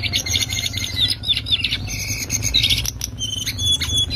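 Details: Lesser shortwing delivering loud ngriwik song for tutoring birds: buzzy high note clusters, then level drawn-out whistles toward the end, a steady low hum throughout.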